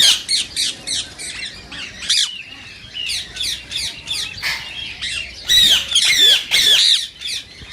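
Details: Green rose-ringed parakeet giving calls meant to stir other parakeets into singing and mating: quick runs of short, rasping screeches, fading briefly mid-sequence, then a louder burst of sharp shrieks near the end.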